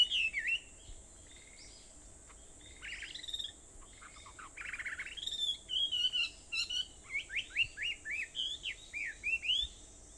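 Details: Birds on Aobayama, Sendai, Japan, at 4:30 in the morning on 21 July 2014: scattered chirps and a buzzy burst, then a lively series of short whistled notes, each sliding downward.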